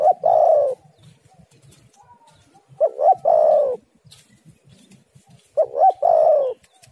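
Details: Spotted dove lure call, three clear phrases roughly every three seconds, each a pair of short coos followed by a drawn-out, downward-sliding coo; otherwise quiet.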